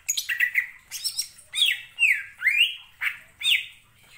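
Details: Harsh, squawky greater green leafbird phrases for provoking other birds to sing, several broad scratchy notes followed by loud sliding whistles roughly every half second.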